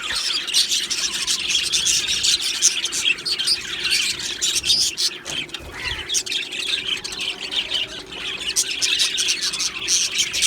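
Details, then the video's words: Australian budgies chattering in an aviary colony, called happy: sustained many-voiced warbling and chirping, rasping squawks mixed in, loudness rising and falling in waves. "Australian Budgie birds Chirping Sounds | Budgie Sounds for lonely Budgie birds | Happy Budgie bird"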